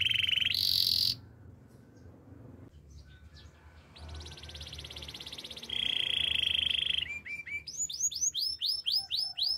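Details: Canary singing as training material: loud trill bursts, a quieter stretch with background noise, then a buzzy high roll, a steady trill, and a closing series of repeated swept notes.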